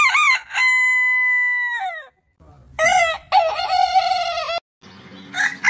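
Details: Roosters crowing in a heritage-breed compilation. First comes a long, pure, level held note that slides down at its end. Then another bird gives a louder, harsher, more broken crow over low background noise.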